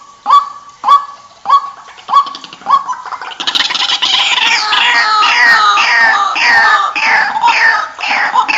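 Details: White-breasted waterhen giving five spaced honking kwak notes that slow and soften, then a loud, dense chattering, croaking chorus of overlapping rapid calls that fills the rest.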